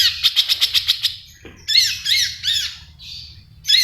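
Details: Long-tailed shrike in 'full isian' song, loud and active: a quick run of about eight sharp pulsed notes, a soft low thud, then harsh, arched, rasping notes in a repeated series with a scratchy trailing phrase.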